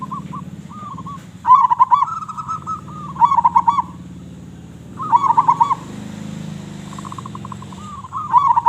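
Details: Local zebra dove with a big voice, singing actively, used as a lure for other doves: rolling staccato coo phrases near one pitch, given in three bursts about two seconds apart, with softer trilled coos in between and low background hum.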